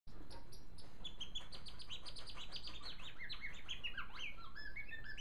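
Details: A pet male African silverbill sings a continuous, soft twittering of high chirps sliding into short descending runs, over a steady low hum, as he hops on a perch that suddenly gives way.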